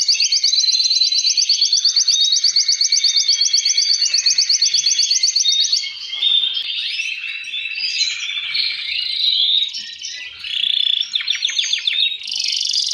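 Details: Male canaries singing to stimulate breeding, one fine singer answered by other males: a long run of fast, evenly repeated high trilled notes, then shifting warbled rolls and buzzy phrases, ending in another rapid trill.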